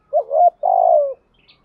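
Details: Spotted dove giving a well-practised coo meant to prompt young doves to coo back: one deep two-part phrase, a short rising note then a longer, steadier coo that slides down at the end, in near silence.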